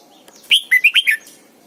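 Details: Caged decoy red-whiskered bulbul in morning training song: a rapid phrase of five whistled, slightly warbling notes that step downward, clean and loud against a quiet background.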